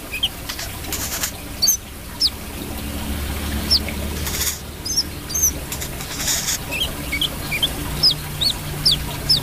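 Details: Brown-throated sunbird calling with thin, high, clipped notes, some bent or slurred, scattered unevenly across the recording, with occasional rustling bursts and a constant low rumble underneath.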